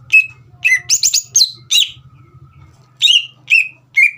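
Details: Green leafbird kept as a cage bird sings sharp, high chirped whistles in quick clusters separated by short gaps, over a faint low hum, meant to stir a young bird to sing.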